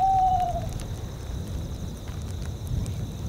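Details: Tawny owls in a tundra soundscape. A single hollow hoot opens the clip, slides slightly downward, and fades within a second. Rushing wind and steady high cricket chirping continue underneath.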